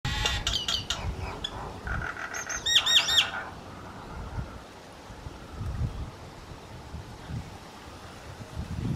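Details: A pair of common mynas in Herzliya, exchanging calls as a duet in March 2020: a quick burst of harsh squawks, clicks and bright looping whistles for about three seconds, then quiet with low background rumble.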